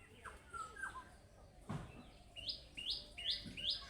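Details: Budgerigar calling in the chick-like style said to draw replies from other budgerigars: a few soft chirps and a dull thump, then four quick rising chirps in a row over steady background hiss.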